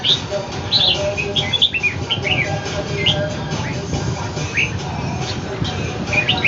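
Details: In Ho Chi Minh City, a caged red-whiskered bulbul confronts a wild one. Lively, brief whistled chirps are repeated in uneven clusters across the recording, with a persistent low mechanical hum underneath.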